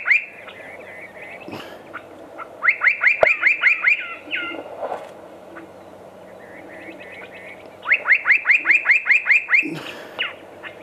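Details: Spot-breasted parrotbill recorded at Walong, Arunachal Pradesh, India, giving two bursts of about eight quick, sharp, descending notes each, separated by several seconds of quieter scattered chips and a brief rustle.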